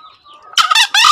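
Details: Loud close crow of a green junglefowl, meant as a model call for birds newly taken from the forest: two harsh, buzzy bursts in quick succession, preceded by quiet thin bird whistles.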